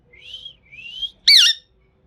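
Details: Green Indian ringneck parrot indoors: two soft rising whistles followed by one loud harsh squawk with a bending, wavering pitch.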